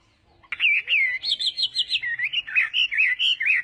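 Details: Chinese hwamei starting abruptly after half a second of quiet, in morning contest singing: a rich run of fluting, looping whistles, some steady and some sharply rising and falling, packed closely together.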